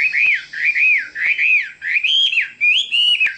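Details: Chinese hwamei singing loud, clear whistled phrases. Arched, slurred notes repeat about twice a second, then climb into higher, sweeping trills near the end. Background is quiet.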